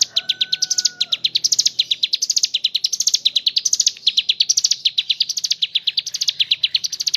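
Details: Mountain leaf warbler (ciblek gunung) in a continuous gacor ngebren song with kapas tembak filling: rapid high chirps in rising bursts, repeated steadily, a brief low whistled tone in the first second.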